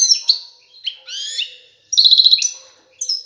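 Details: Goldfinch male courting a female with high, liquid twitters, a buzzy slurred phrase, then a fast trill of repeated metallic notes, sung to spur her toward mating and nesting.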